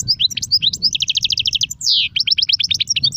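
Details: European goldfinch singing the Serfati, Gzrati and Sersir styles: lively high chirps, a long rapid rattle of identical notes, one drawn-out buzzy downslurred note, then more quick chattering trills.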